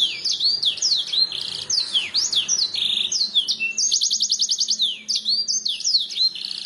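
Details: Canary song played to make birds reply, a training recording: chains of downslurred whistles and short buzzy bursts, with a rapid rolling trill in the middle, faint background hiss.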